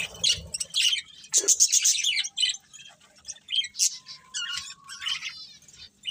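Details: Budgerigars in lively chatter of rapid high chirps, clicks and short whistles, with harmonic warbled notes and a thin steady tone in the background.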